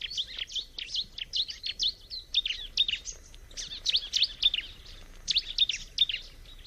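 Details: Bar-winged prinia singing in nature: lively, high chirping phrases of quick twittering notes, grouped in bursts with short gaps, over steady soft outdoor background noise.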